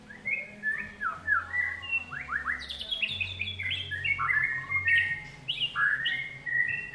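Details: White-rumped shama song: a fast varied run of clear whistles, upslurs and downslurs, rising into brighter, higher notes midway, with a faint low hum underneath.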